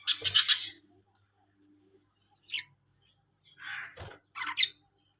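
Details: Budgerigar colony of Australian parrots: a quick burst of four harsh chirps, then silence and later a few scratchy squawks and chirps.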